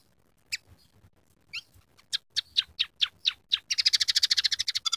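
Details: Scaly-breasted munia in vigorous song with imitated canary, sparrow and red siskin phrases: scattered sharp chips speed up into a dense, fast, harsh trill.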